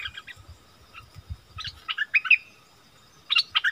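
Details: Striated bulbul among wild birds quarrelling, February 2021: scattered short bursts of sharp chattering and whistled notes separated by gaps, over soft low rumbling background noise.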